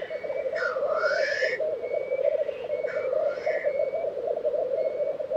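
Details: Black grouse displaying at an April lek in Tiveden, Sweden, 2023: unbroken low rookooing hum beneath two loud rising sneezing hisses, plus faint thin whistles of another bird.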